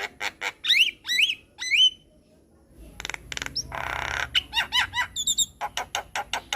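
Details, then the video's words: Energetic white-eyed Javan myna tutor song: harsh clicks mixed with clear whistled notes that rise and fall in quick slurs, a rasping burst midway, then rapid clicking and more looping whistles. "Masteran Jalak Kebo Mata Putih - Jalak Kebo Gacor Dengar Kicauan Jalak Kebo Masteran"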